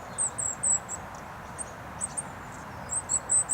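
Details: Goldcrest at Rooksbury Mill Local Nature Reserve on an overcast 3 December 2017. High, thin, chirpy notes come in short groups at the start, in the middle and at the end, heard over a steady roar of A303 traffic.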